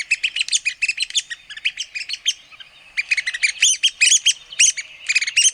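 Red-cockaded woodpecker: rapid, scratchy chattering notes in two excited bursts, high-pitched and slightly nasal, with a brief pause between them.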